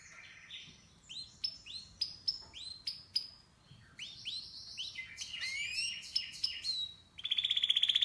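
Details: Canary chirping: rising whistled notes and sweeping chirps in quick sequence, with a buzzy rapid trill at the end; faint background hiss.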